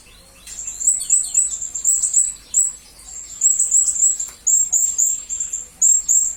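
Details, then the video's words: Serindit, or blue-crowned hanging parrot, sung as tutoring material for magpie-robins and green leafbirds: shrill, high-pitched chattering notes strung in quick repeated phrases with brief gaps, steady and piercing throughout. "Serindit Masteran Berkualitas Untuk Burung murai dan kacer ijo"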